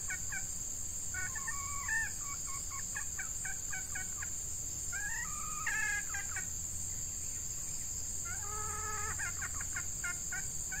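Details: Captive female red junglefowl used as a decoy to lure wild males in hot breeding-season weather, giving short harmonic clucks in uneven bursts, some in quick runs, over a steady loud insect drone and low hum.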